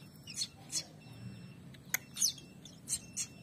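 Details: A pair of young prinias becoming active; sharp, very high, short chirps given singly at irregular intervals, about six in three and a half seconds, over faint low background hum.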